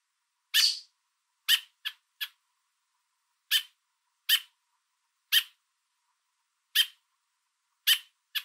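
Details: American robin adult on a fence in the Niagara area of Canada, food in beak, communicating with its fledgling and warning an observer away: about ten abrupt, harsh chips, some in rapid twos and threes, others alone, with a quiet background.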